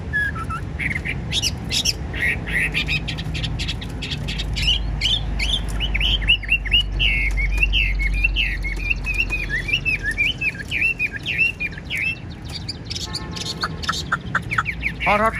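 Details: Chinese hwamei, a caged songbird said to be 95% tame, singing a long stream of rapid, varied chirps and slurred whistles, with low rumbling noise in the background.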